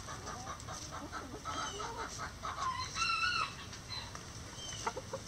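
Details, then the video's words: Rooster crowing among chickens in a coop, a faint harmonic crow rising then holding near the middle, with soft clucks from hens and scratching noises around it. "Chicken Sounds | Rooster Crowing"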